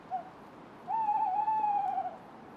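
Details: A Tawny Owl, one of a territorial resident pair at Fotherdale in January, gives a short soft note, then a long, hollow, slightly wavering hoot lasting over a second; otherwise quiet.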